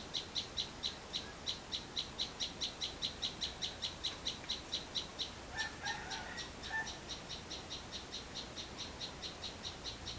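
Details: A sunbird singing in a backyard garden in rural Vietnam gives a long, even run of thin, high, sharp notes, about two or three a second, while a lower, softer call briefly joins in midway.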